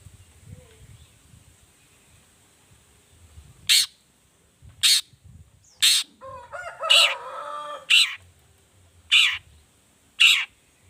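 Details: Long-tailed shrike in a lively 'toet toet' variation used as a lure recording: harsh, buzzy broadband notes about once a second, with a brief run of rasping chatter in the middle.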